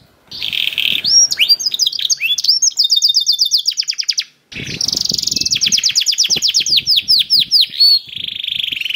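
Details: Canary song used to spur other canaries into singing: rolling high trills and downward-sweeping whistles, a brief pause near the middle, then quick rattling trills and a sustained buzzy note.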